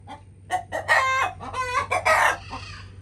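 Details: Chickens clucking: a run of short harmonic clucks building into two longer, louder squawking notes, then a softer trailing cluck, over a faint low steady hum.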